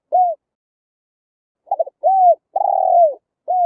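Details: Spotted dove coos used as a trapping lure: single arched coos, a stuttering triple note, then a long slurred falling coo, irregular spacing, quiet background.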